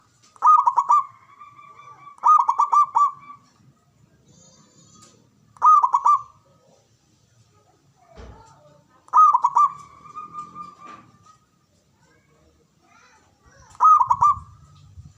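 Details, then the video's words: Zebra dove song used as a lure to prompt quiet doves to sing. Five cooing phrases, spaced a few seconds apart, each a quick stutter of soft staccato notes running into a longer held tone. Faint low rumbles in between. "Pancingan Manjur Untuk Perkutut Malas Bunyi"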